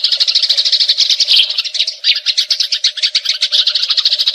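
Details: Eurasian tree sparrow in a fight, producing long rolling chatter used as tutor recording for magpie robins: fast, harsh chirping, slightly uneven, dipping briefly near two seconds, over a steady hum.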